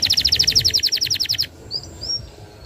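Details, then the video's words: Canary singing in the energetic, long-trilling gacor style, used to tutor young canaries: a fast rhythmic trill of about twelve bright repeated notes over a second and a half, then two short upward whistles over quiet background hiss. "Suara burung Kenari Gacor Nembak Panjang"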